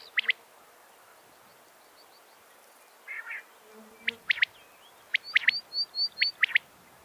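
Quail giving sharp, clipped notes in pairs and triples, spaced a second or so apart, with thin high chirps from other small birds and a brief buzz between.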